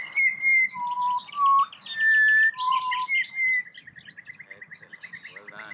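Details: A wild pied butcherbird in Australia sings when prompted by a person's counting and is rewarded with a prize: rich, pure fluty whistles stepping between high and low notes, then a rapid run of chattering, pulsed notes.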